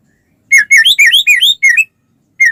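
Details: White-rumped shama in full song, played to prompt other shamas to answer: a rapid series of clear rising and falling whistled slurs, then a short pause and one final whistle.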